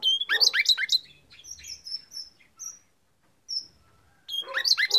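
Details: Red-rumped parrot (Psephotus haematonotus) song to stimulate male and female to mate: quick bursts of high, sliding, chirpy warbles, a pause with a few thin whistles, then a second rapid burst.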